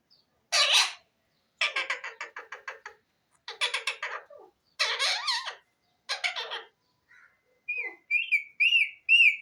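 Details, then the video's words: Talking parrot kept at home, producing harsh rasping squawks and pulsed chatter, then a closing series of four rising-falling whistled notes. "bolnay wala tota,pahari toat bird,sweet parrot bird"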